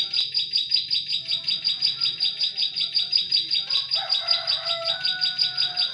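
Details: Lure recording of a bar-winged prinia for catching prinias in forest: bright high chipping notes repeated rapidly and evenly throughout, about two and a half per second, with a few softer lower tonal bird notes mixed in.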